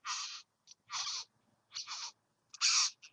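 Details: Satin bowerbird visiting a bower: four coarse, wheezy rasps in about three seconds, each roughly a third of a second long, plus a tiny click, with the last rasp the loudest.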